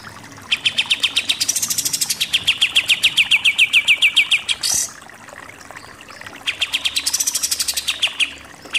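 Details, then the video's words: Super 'nembak-nembak' song of a Pied triller, kept as training material for contest birds. A long chattering trill of rapid, sharp notes stops at a brief harsh noise. After a pause, a second fast burst follows. "KAPAS TEMBAK SUPER NEMBAK-NEMBAK"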